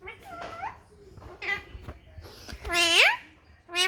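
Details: Playful pet ringneck parrot talking Punjabi; a string of short, bending nasal syllables, the loudest a rising then falling squawky phrase near the end, with soft room noises between.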